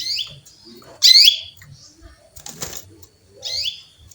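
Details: Female canary chirping to call a male: short, high, downward-sweeping chirps, one at the start, a loud one after a second and another near the end, with a brief rustling burst between them.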